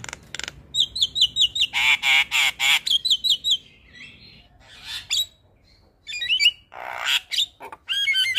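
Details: Javan myna morning call that prompts other mynas to answer: a fast row of high paired chirps and harsh rasps, a brief lull, then mixed whistles and scratchy squawks.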